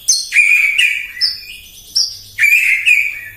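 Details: Morning bait song of a white-rumped shama: loud clear whistled notes, each opening with a sharp high accent then holding steady, repeated about every half second in an energetic phrase.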